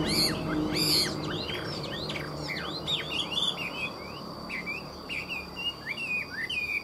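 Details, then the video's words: A caged hwamei hung out at midday pours out a rapid, varied run of bright whistles and slurred, rising and falling notes, with a faint steady high hum behind it. "Họa mi hót buổi trưa"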